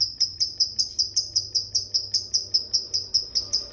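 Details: Lovebird giving the 'ngetik' ticking phase of its 'ngekek' song: sharp high clicks with a bright overtone, repeated steadily about two and a half times per second. Background otherwise quiet.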